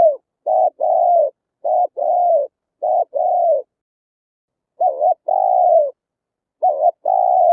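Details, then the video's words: Deep, rhythmic cooing of a spotted dove, played as a lure to draw wild birds to a trap: paired stuttered and drawn-out coos in steady repeating phrases. "Tiếng chim cu gáy hay, đủ bài, bẫy loa hiệu quả"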